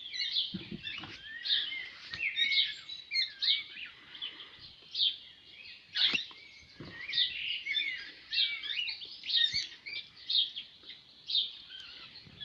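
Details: Several cockatiels playing and bathing outdoors in a makeshift pool in a yard during summer: a busy stream of high chirps and squeaky whistles, with light splashing and patter underneath.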